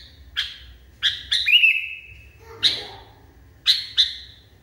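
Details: Agitated caged sooty-headed bulbul giving sharp chirps and a sliding whistled note, followed by separate paired chirps.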